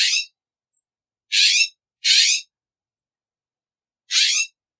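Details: Loud, rasping, broadband squawks from a California scrub jay, four drawn-out harsh notes, two in quick succession, separated by quiet gaps.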